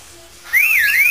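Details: Brief whistled phrase from a pet parrot improvising a tune: one loud, clear note that swoops up, dips and rises again without a break.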